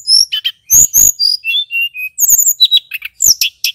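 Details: Male tledekan gunung flycatcher giving lure song to excite other flycatchers: very high sliding whistles, a few dry rattles and lower steady notes, quick and varied.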